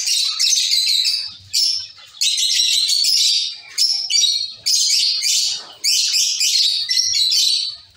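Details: Caged zebra finch colony calling busily: dense runs of harsh, nasal chirps and buzzes in long bursts with short pauses between.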